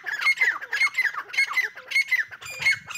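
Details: Francolin chicks, teetar, calling in a loud, repeated series of squawky, chirping notes with sharp upward-bent whistles, several bursts every half second or so, possibly indoors.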